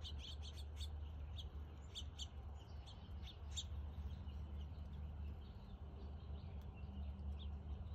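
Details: House finch at a front yard bird feeder in NW Calgary, Alberta, on August 31, 2022, at 3:08 pm; short high chirps come in quick clusters during the first four seconds, then fade, over a steady low hum.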